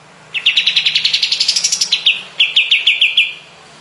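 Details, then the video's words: Kapas tembak bulbul in a master recording for songbird training: a fast trill of crisp notes climbing slightly in pitch, a brief pause, then a shorter burst of about six sharp notes; faint low hum behind. "Masteran burung kapas tembak"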